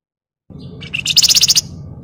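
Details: Flamboyan, a songbird kept as a training tutor for other birds, giving a sharp chattering burst: a short buzzy note, then a rapid run of about ten bright, evenly spaced high chips over low background rumble.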